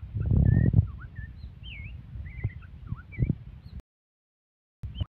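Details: Aggressive white-rumped shama pouring out varied whistles, some wavering, others sharply falling, over heavy low rumbling and knocks, then a sudden break in the sound before a final whistle.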